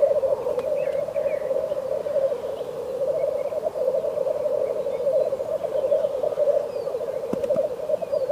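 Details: Frost-covered landscape with black grouse cooing in a continuous low bubbling stream, steady and pulsing, with a couple of sharp clicks late on and faint higher notes early.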